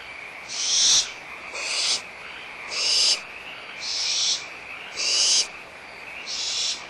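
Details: Barn owl owlets, Audubon Starr Ranch Sanctuary, bickering over a leftover bit of food: six hoarse hiss-screeches in quick succession, roughly one per second, overlapping slightly, above a steady frog chorus.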